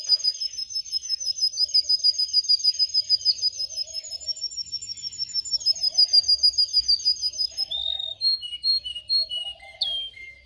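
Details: Canary song for training other canaries: a long rapid metallic trill, then a string of separate short whistled and chipped notes at varied pitches.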